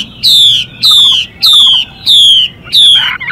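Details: Chinese hwamei, a female and male pair, the female giving hissing 'xùy' calls to stimulate the male: five loud, rasping, downward-sweeping notes, evenly spaced about every 0.6 seconds.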